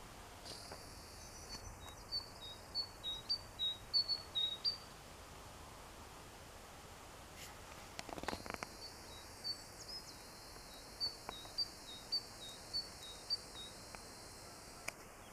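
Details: A tit on 14 April 2021, said to be calling its mate, sings a series of high, thin, evenly repeated notes in two bursts.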